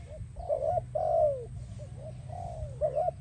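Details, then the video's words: Spotted dove song for attracting doves, soft short coos leading into long falling notes, repeated twice within a few seconds above a constant low-pitched background drone. "Spotted Dove animal singing sound"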